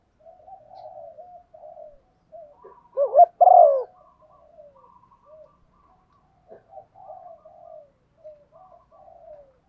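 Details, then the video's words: Female spotted dove cooing to stimulate a male, used as a lure: soft low wavering coos repeated through the clip, with one louder burst of rapid cooing in the middle and brief quiet gaps. "Tiếng chim cu gáy MÁI kích trống, chim cu mái thúc gù"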